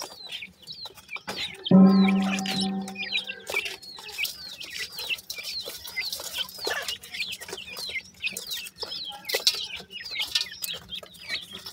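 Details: Young francolins (dakhni teetar) in captivity cheep continuously with quick downslurred peeps. Around the second second a low, droning tonal sound briefly rises above the chatter.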